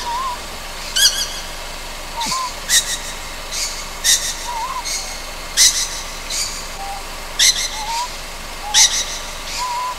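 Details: A juvenile Ryukyu scops owl on Amami Ōshima at night gives harsh, hissing rasps at irregular intervals, one to two seconds apart, with faint soft whistled notes underneath.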